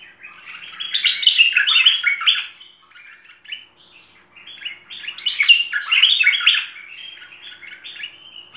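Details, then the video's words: Two long phrases of busy, jumbled chirping from a merbah lekir bulbul, a full-song tutor recording, with soft scattered notes filling the pause. "Masteran Merbah Lekir Full Isian"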